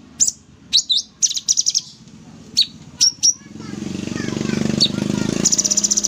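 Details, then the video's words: Sooty-headed bulbul singing energetically in 'tembak' style: a series of sharp high chirps and short trills, then a rising low rumbling noise and a fast pulsed trill at the end. "Cucak Cungkok full tembak gacor"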